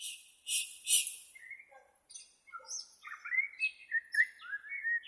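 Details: White-rumped shama from Borneo, used for training captive shamas: varied whistled and chattering phrases, some rising slurs, irregularly spaced, after an opening burst of harsh broadband noise.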